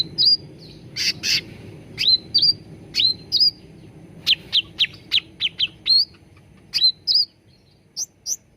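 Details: Sooty-headed bulbul lure sound for getting birds to sing quickly: crisp, high, hooked chirps and short clicky notes in irregular runs, with brief pauses and a quiet low background.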